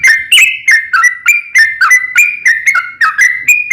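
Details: Bright whistled notes from a sooty-headed bulbul, about three per second with rising and falling slurs, from a long 'ropel panjang' lure song used to make other bulbuls sing back.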